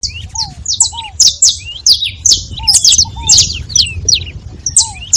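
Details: Several saffron finches calling together: dense, sharp, high chirps in rapid overlapping bursts, with softer lower slurred notes mixed in and a faint low rumble beneath.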